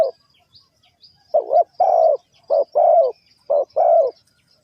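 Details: Spotted dove from Ninh Thuận, in a bird-trapping setting, starting after a pause: three paired coos, each a short soft note then a longer rounded one, low and mellow, spaced about a second apart.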